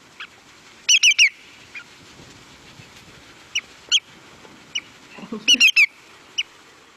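Greater Yellowlegs giving ringing, slightly descending whistles in quick sets of three, twice, with single whistled notes between and a faint low thump near the end.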